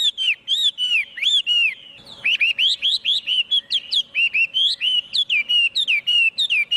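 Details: Chinese hwamei in full song, with no other noise: continuous loud, melodious whistles that rise and fall in quick loops, with a short pause and then an even faster, more varied rush of notes.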